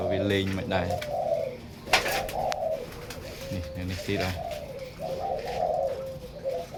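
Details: Many captive zebra doves kept in pairs indoors for breeding give overlapping soft rolling coos in a steady low chorus, while a man talks at the start and again midway.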